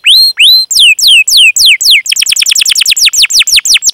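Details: Canary song used as a lure to prompt young canaries to sing: loud, fast phrases of sharp downward-sweeping whistles, first slow rising-falling notes, then dense rapid chirps repeated about three per second.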